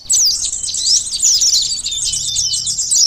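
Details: Sunbird, locally konin or korlap, in a lure sound for catching birds: an unbroken stream of piercing, rapid twitters and thin slurred whistles lasting about three seconds.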